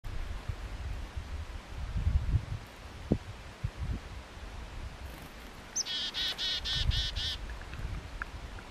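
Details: A chickadee singing for a treat on 12 February 2015 gives a quick run of about six buzzy, even 'dee' notes near the end, over low rumbling wind and handling noise.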